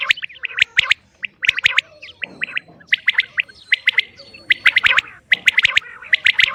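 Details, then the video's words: Female common quail (batair) calling: dense bursts of sharp, clipped notes grouped in quick twos and threes, overlapping and repeated over and over, with a brief soft rustling patch in the middle. "Common quail Calling| Female Quail sounds"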